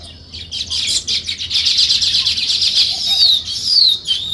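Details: Morning chorus of sparrows near nest-building weaver birds: continuous busy twittering of high, short chirps from several birds, with a few thin down-slurred whistles near the end.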